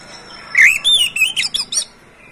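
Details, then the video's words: Captive Oriental magpie-robin, used as a prompt to get other magpie-robins singing; loud whistled upslur followed by a quick string of varied sweeping and harsh notes, then silence. "SUARA BURUNG KACER"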